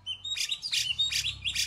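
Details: Grey-cheeked Bulbul song: four loud, bright, chattering bursts about every 0.4 seconds, with thin high whistles threaded between them.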